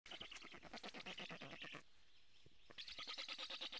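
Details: Black stork nestlings begging for food at a nest in Karula, Estonia, live nest camera, 2 July 2017 mid-morning: rapid rasping, bleating pulses repeated several per second, a brief pause, then the harsh pulsed chorus resumes.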